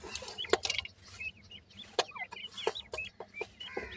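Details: Several grey francolin chicks peeping: high, brief rising and falling notes in quick irregular bursts, mixed with loud clicking and tapping sounds and a faint low background hum.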